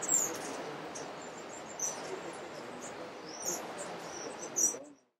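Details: Brown violetear in Alambi Cloud Forest Reserve, Ecuador, May 2012, gives four thin, very high chips spaced about one to two seconds apart, over a steady rushing hiss like water or wind.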